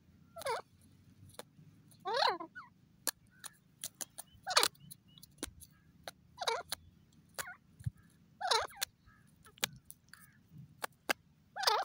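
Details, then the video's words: Grey francolin (teetar) giving loud, ringing calls: bursts of rising and falling harmonic notes roughly every two seconds, with sharp clicks and taps scattered between them over a low background hum. "grey partridge teetar ki funny awaz"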